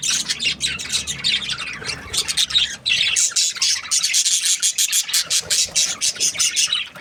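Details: Chattering of pet Australian budgie parrots, a continuous dense mix of rapid scratchy chirps and harsh squawks, several birds calling over one another, with rhythmic pulsing bursts toward the end.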